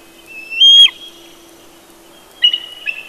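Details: Early morning at a Big Bear bald eagle nest: one loud, high whistled note with a sharp ending, then a shorter second call after a pause, over a faint steady hum.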